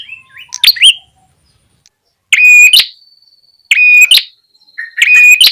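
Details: Ashy tailorbird lure call for luring wild birds: a few rising chirps, a pause, then three loud, rasping, buzzy notes with a steady tone inside, spaced about a second and a half apart.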